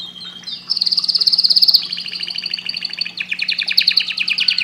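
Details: Singing canary delivering a bright, loud rolling trill that shifts into rapid pulsed chattering notes, high and busy throughout, over a faint constant hum.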